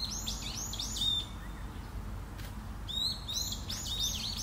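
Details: Long-eared owl parent and young on Tsushima: harsh, arching squeals with a high whistled edge, given in quick bursts of three or four, then a pause and another burst, over a steady low background rumble.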